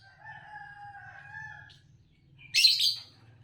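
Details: Green Fischer's lovebird, a champion song-competition bird, gives one brief harsh, buzzy chirp burst near the end, after a drawn-out, faint tonal sound at lower pitch.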